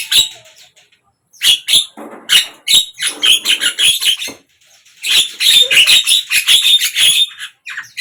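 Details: Javan myna song heard through morning, midday and evening: long runs of rapid, scratchy chatter and grating squawks, with a brief silence near the start and another pause before a final dense burst.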